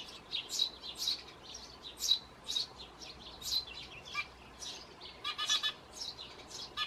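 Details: Eurasian tree sparrow chicks in a nest box on a terrace, one being fed by a parent: thin high cheeping begging calls repeated irregularly, rising into a faster excited cluster of chirps, over a noisy background hiss.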